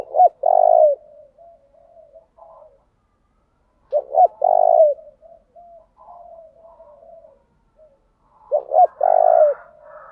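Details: Decoy spotted dove cooing steadily to urge wild doves to call: three repetitions about four seconds apart, each two short clipped notes then a long, loud, buzzing coo, separated by soft murmured coos.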